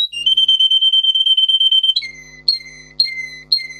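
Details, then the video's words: Tutor song of a Russian singer canary, bred for singing: a long, level high trill of rapid pulses for nearly two seconds, then a series of four notes, each gliding steeply downward at half-second intervals. "For training Canary singing (Russian singer canary singing) Original Song"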